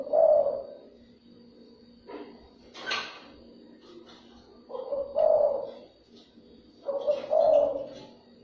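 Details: Spotted dove cooing meant to lure other doves: three low, throaty coo phrases separated by pauses, with a brief rustling burst of noise between the first and second phrases.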